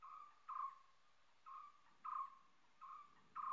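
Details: A common hawk-cuckoo (Hierococcyx varius) calls with loud, clear whistled notes, short and evenly pitched, about six in under four seconds, each starting sharply, over a quiet background.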